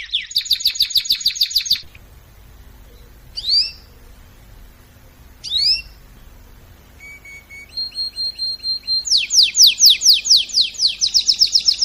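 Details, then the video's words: Canary song from a training recording, opening with fast repeated notes, a pause broken by two sharp upward chirps, then thin level whistles and a loud burst of rapid descending sweeps. "طائر الكناري يغرد بصوت ناري canary singing training"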